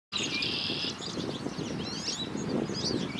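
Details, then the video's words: American goldfinch calling: one long, flat, buzzy note held for nearly a second, then scattered faint chirps and short twittering notes over a steady low rumble of background noise. "Super cute American Goldfinch calling"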